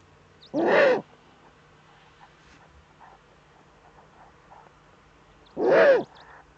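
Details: Eurasian eagle-owl at its Eifel nest in Germany, early morning of 8 April 2014, just after the first chick hatched. Two harsh, rasping calls about five seconds apart, with soft clicks and faint sounds between.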